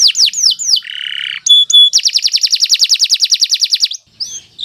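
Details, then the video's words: Canary of the Kenari Nusantara type in steady, long song for tutoring other birds: a few swooping notes, a buzzy tone, two short pure whistles, then a rapid evenly repeated trill of bright notes before a final sweep. "Kicau Burung Kenari 173 II LUAR BIASA GACOR PANJANG"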